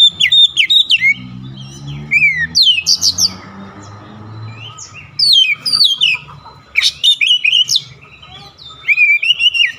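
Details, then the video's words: Oriental magpie-robin (kacer) singing insistently, delivering its isian fill-in phrases: loud, clear whistled notes with sweeping slurs in quick bursts, then a quieter pause with a low hum before the bursts resume. "KACER NGOTOT BONGKAR ISIAN"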